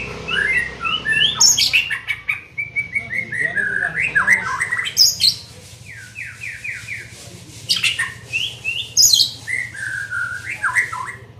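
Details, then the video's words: Young white-rumped shama in training, singing long varied phrases of sharp high notes, series of short downslurred whistles and chattered bursts, with brief pauses, over a faint low hum. "Melatih Mental Murai muda"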